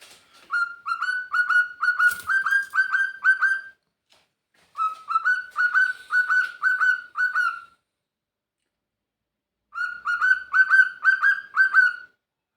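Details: A male pet cockatiel crows in three bursts of rapid, whistled, slightly rising notes.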